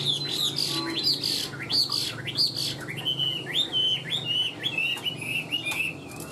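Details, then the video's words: Tame caged Chinese hwamei song: a series of loud, looping whistled phrases repeated about every half second, bright and clear, with a low hum in the background. "Họa mi đẹp hót hay"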